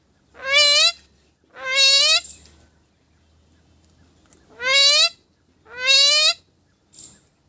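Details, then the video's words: Parrot uttering four loud, nasal, slightly rising calls, each about half a second long, in two pairs with a pause between, followed by a brief soft note. "parrot talking"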